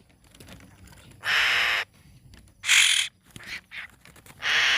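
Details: Hill myna nestling calling to attract birds: three strong, grating squawks, each roughly half a second, with a short rough note between them and low background hiss.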